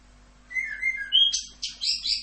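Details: Short burst of Orange-headed thrush song in the masteran 'Rock'n Roll' style: a few clear, slightly falling whistles, then a rising note leading into loud, harsh, buzzy high phrases, over a faint low hum.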